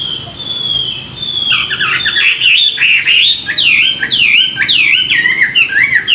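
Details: Chinese hwamei singing in the morning, a training song used to stir up newly caught birds: after a thin high whistle, rapid varied phrases of ringing, up-and-down slurred whistles and bright trills, loud and continuous, in a small room.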